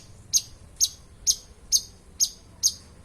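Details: Six sharp, high, clipped notes from a long-tailed shrike, a reputed mimic of a thousand voices, evenly repeated about every half second over a quiet background.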